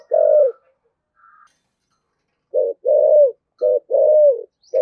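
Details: Spotted dove singing in the 'thổ sấm' style: an opening falling coo, a pause, then deep clipped-and-drawn coo pairs in quick succession, with a faint chirp in between.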